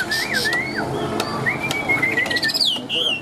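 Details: Tame, newly arrived caged Chinese hwamei singing loudly: clear whistled phrases that rise and fall in smooth slurs, ending with a quick higher flourish, while a man talks nearby.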